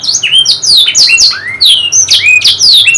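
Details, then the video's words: Canary song, a recording offered to prompt silent or reluctant canaries to sing: loud, fast series of high sweeping whistles, many sliding downward, with one lower rising slur midway, delivered in a continuous stream. "KENARI MACET❓MALAS BUNYI⁉️ KASIHAN‼️Nih Kicau Paling Ampuh Dan Mewah"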